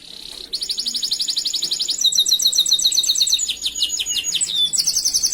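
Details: Canary master song, used to train other canaries: after a soft opening, a fast even trill of bright high notes rolls on, then shifts into sharper stacked chirps and rising sweeps, ending in another rapid buzzy trill.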